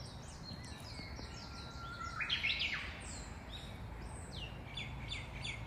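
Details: Australian magpie of a chick-raising family gives a short, rich carolling burst between faint high repeated chirps, which continue in quick descending series afterwards over low outdoor noise.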